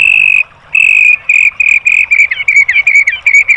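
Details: White-rumped shama song, used as a training recording for caged birds: a loud string of clear whistled notes held on one steady pitch, later breaking into short hooked, slurred notes near the end, with no other sounds.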